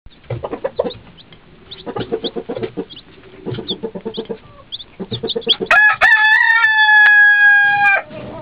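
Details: Two-day-old chicks drinking beside their mother hen, giving rapid high peeps in clusters with soft clucking, then a long loud sustained crow-like call near the end.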